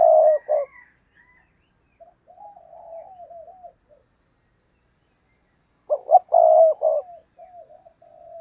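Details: Caged decoy spotted dove giving its cooing phrase to draw in wild doves. A loud phrase ends, followed by soft wavering trailing notes and a pause, then another full phrase of clipped notes and a long rolling coo with faint tail notes.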